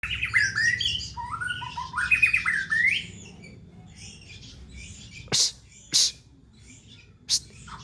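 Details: White-rumped shama (murai batu) song for luring pet birds at home: rich whistled phrases with rising slurred notes over the first three seconds, then quiet high chatter and three sharp loud clicks or knocks.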